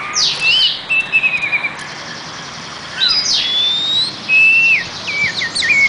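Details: Oriental magpie-robin song made of varied high whistles, slurred rising and falling notes and quick chip bursts, over steady background hiss.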